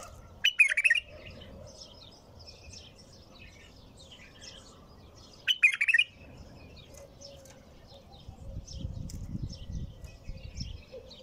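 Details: Bulbul giving two short, loud gurgling song phrases roughly five seconds apart, with soft scattered high chirps and a low background rumble.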